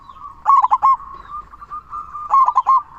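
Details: Zebra dove, a local perkutut in full voice, used as a lure and master song to stir other doves to sing; rolling cooing phrases near one pitch, with quick stuttered notes in two bursts between softer sustained coos.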